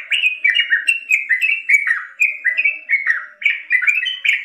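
A Yellow-vented Bulbul sings a lively, bubbly run of short slurred notes, about four a second, rising and falling without pause; nothing else is heard.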